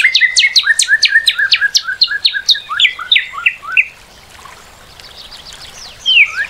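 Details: Song of a Northern cardinal: rapid repeated slurred whistles, about three per second, run for nearly four seconds, then a short pause before a fainter phrase of rising notes returns.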